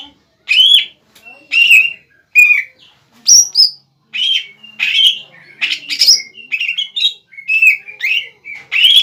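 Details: Kept Greater green leafbird (cucak ijo bahan) singing to rouse a rival bird into answering: bright whistled phrases and chattering bursts, some short notes leaping high, delivered in a steady stream of separate phrases.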